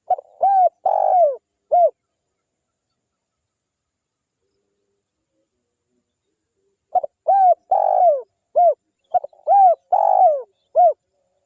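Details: Spotted dove, a local wild bird calling hard, offered as a lure to set off other spotted doves; repeated low mellow coo phrases with short stuttered starts and long middle notes, the later part running two phrases close together.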